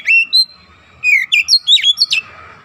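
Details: Oriental magpie-robin training song aimed at getting a young kacer to 'nembak' quickly and densely: two drawn whistles, then a fast string of high, sliding and dipping whistled notes.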